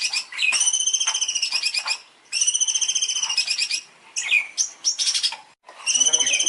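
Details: Long-tailed shrike master song for training birds: long rapid pulsing whistled trills broken by short gaps, with swooping notes and scratchy chatter between them. A faint low rumble sits underneath.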